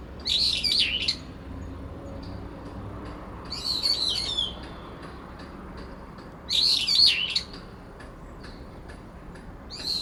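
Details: Late September, cherry tree: a resident brown-eared bulbul and a sweet-voiced rival call over each other in a territory fight. Three loud, strident, warbling bursts roughly every three seconds, with faint calls between.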